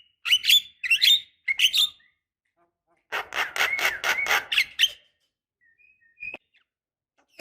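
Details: Female Asian pied starling calling to a male, played to stir a silent caged bird into song: three harsh squawking notes, then a fast grating chatter, then near silence.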